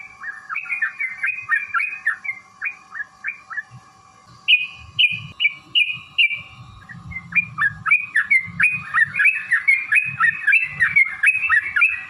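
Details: Long provoking fighting song of a yellow-vented bulbul: runs of quick bubbly notes, a brief series of clearer higher whistles, then renewed rapid chattering phrases, over faint low rumbling and a steady hum.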